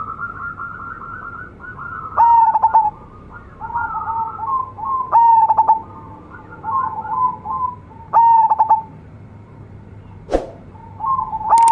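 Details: Local zebra dove in steady song with a rich voice. Loud stuttered whistled coos come about every three seconds, separated by softer rippling trills. A sharp knock sounds near the end.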